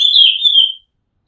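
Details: Oriental magpie-robin recorded from the rooftop of a house: one long, slightly wavering whistled note held nearly steady for almost a second, bright and pure, then silence.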